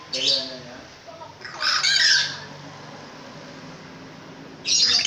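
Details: Caged long-tailed shrike giving loud harsh squawking bursts separated by pauses of a second or more, over low background hum and faint murmuring.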